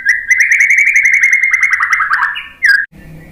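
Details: White-rumped shama song used as a training and lure recording with rapid shot phrases: a long fast trill holding steady then stepping lower, ending in a brief clear whistle after a short gap.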